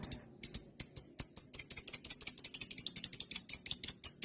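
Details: High sharp lovebird chirps, first spaced out, then quickening into a dense rapid chatter, a lure sound meant to set other lovebirds answering with their long trill.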